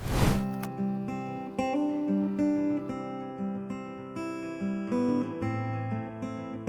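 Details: Strummed and plucked acoustic guitar music with ringing chords, and no animal sounds.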